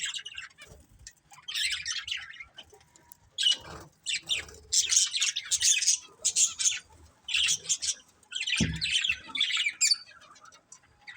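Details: Colourful pet budgerigars in a family group give bursts of scratchy, squawky high chirps, sometimes overlapping, with a few soft low thumps, possibly wing movement, between the calls.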